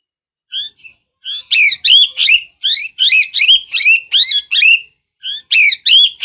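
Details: Parrot starting with soft single notes, then breaking into a sustained stream of harsh, bending squawks, around three per second, with a brief pause before the final calls.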